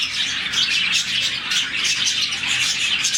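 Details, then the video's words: Around 40 budgies in a colony give their happy morning chirping. A steady wall of bright, high twittering with rapid overlapping notes runs without a break. "Lovebirds, budgies, parakeets morning chirping sound"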